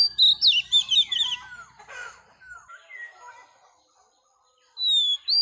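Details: Oriental magpie-robin, a wild-caught female, singing to excite males: a rapid opening run of loud, high twisting whistles, softer descending notes, near silence, then a bright, rising whistled phrase.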